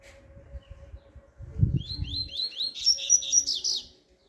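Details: Double-collared seedeater performing bakalu-style song, recorded on Sunday 5 November 2023: after a man's brief words and knocking, a string of rising chirps accelerates into a rapid, sweet twittering phrase lasting about a second and a half.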